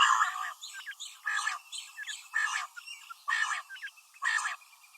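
Common quail female giving harsh, rasping notes, five or six bursts about a second apart, with faint thin chirps between them.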